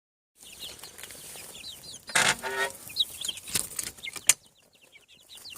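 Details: Hatching chicks on a farm, seven weeks: high thin peeping calls, many short rising and falling chirps overlapping, with loud rustling and handling noises breaking through.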